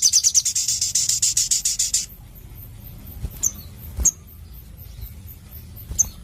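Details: Sogon, the Crimson sunbird, in energetic song: a two-second trill of fast, high, buzzy pulses, then quiet with three lone sharp, thin chips spread over the following seconds.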